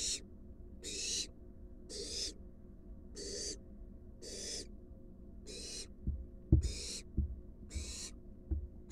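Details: Wild barn owl adult delivering a large rat to its fledgling in a monitored nest box. About ten grating hisses repeat steadily, and scuffling knocks grow louder toward the end.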